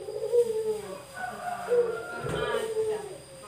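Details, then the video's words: Male Barbary dove, released indoors inside a home, gives soft, low, rolling coos in quick succession, with faint background noise from the room. "puter jantan gacor"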